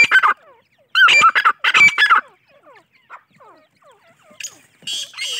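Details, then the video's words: Francolin chicks (teetar) with loud harsh squawking bursts at the start, then faint falling peeps scattered through the middle, and a rough noisy burst at the close. "teetar chicks voice"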